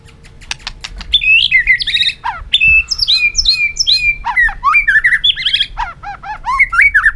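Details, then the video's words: Caged white-rumped shama giving a stimulating song meant to provoke rival birds into singing contests: a rich, continuous medley of clear whistles, upward slurs and quick chattering notes, with some sharp clicks at the start. "chòe lửa rực lửa đập chạy sàn cầu, hót dụ chim kích lửa hót đấu căng lửa"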